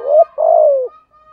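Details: Spotted dove, 'thổ thúc gù' voice, used as a lure for wild doves. A single phrase: a rising short note, then a long low coo dropping at its end, followed by a faint steady thin tone.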